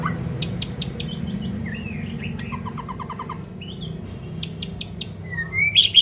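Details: White-rumped shama, a training recording meant to spur a weak bird into long, varied singing; sharp vertical clicks, rising whistles and a fast descending trill of short notes, with steady low hum underneath.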